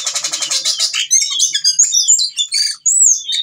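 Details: Ciung batu whistling thrush, lively and in breeding mood, calling a female; opens with a fast pulsing buzzy rattle, then breaks into a jumble of high chirps, twitters and a long clear whistle.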